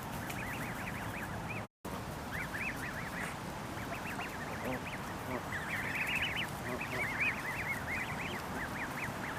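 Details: Canada goose goslings eating and squabbling beside their parents give a rapid, overlapping stream of high, thin arched peeps, several each second from many birds, over a steady rustling background.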